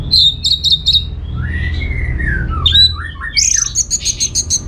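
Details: Orange-headed thrush singing to make other birds respond: a quick series of high repeated chips, a long drawn-out descending whistle, then jumbled squeaky notes and a rapid string of evenly spaced clicks.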